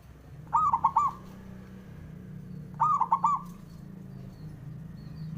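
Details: Male zebra dove singing to provoke rivals into calling back: two quick phrases of four mellow cooing notes about two and a half seconds apart, over a steady low hum.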